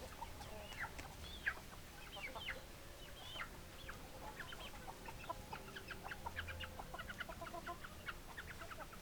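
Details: Chickens, hens clucking, in a flock: many short, sharp clucks and brief rising squawks overlap throughout, some calls bunched in quick runs, over a steady low background hum.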